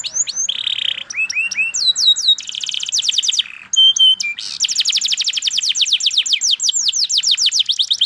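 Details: Canary song mixing varied phrases: a buzzy note, hooked rising whistles, pure high tones, then a long rapid rolling trill of repeated downslurred notes.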